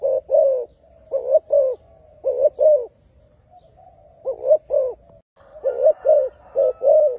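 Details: Spotted dove giving paired low coos separated by faint purring stretches, with a pause midway; a thin high tone sounds faintly behind the later notes.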